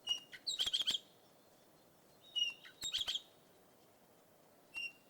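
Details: Red-rumped parakeet calling in two bursts of bright, high chirps: a short whistled note, then a rapid cluster of four or five sharp notes. A lone whistled note follows near the end over faint background hiss.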